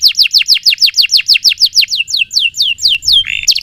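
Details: Canary in prolonged song for training: steady run of sharp descending whistled notes about four per second, slowing slightly, ending with a short low buzzy note and another whistle.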